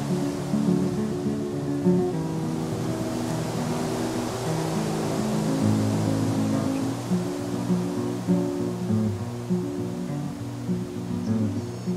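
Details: Gentle instrumental music with held low chords plays over a steady wash like distant surf; no animal calls are heard.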